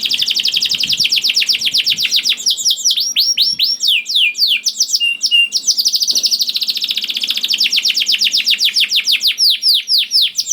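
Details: Strong canary song meant to prompt other canaries to sing: a long rapid trill of high slurred notes, slower swooping phrases, a brief break, then another fast even trill running on for several seconds.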